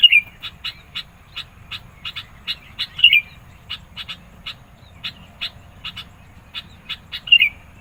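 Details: Sooty-headed bulbul in vigorous song, used for luring and provoking rival birds. A steady string of crisp chipping notes is punctuated by three loud twisting whistles, at the start, middle and end.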